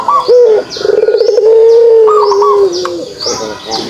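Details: Kugeruk of a pelung dove: a brief opening coo, then a trilled, throbbing note flowing into a long steady low coo that tails off. Soft high chirps from other birds in the background.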